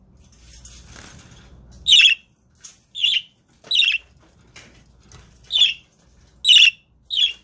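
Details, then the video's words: Caged pet budgerigars indoors, filmed to prompt other budgies into singing; a series of about seven harsh scratchy chirps at irregular intervals, some loud and some softer, over faint room noise. "Webcam Live stream to make your budgies start singing"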